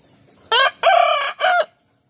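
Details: Single morning rooster crow in three loud, buzzy harmonic syllables: a short opening note, a long sustained middle and a falling final note, followed by silence.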